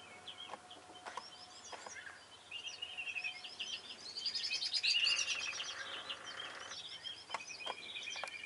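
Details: Northern lapwings give wheezy, slurred high calls amid a busy chorus of other birds, recorded from a hide at Kalmthout, Belgium, with a whimbrel's rippling whistles in the background.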